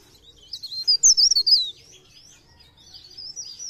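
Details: Mountain leaf warbler singing actively, used as a lure sound for trapping, in the pre pare and blereng style: a thin, high, quickly warbled twittering phrase, loudest mid-clip, then softer twitters after a short pause.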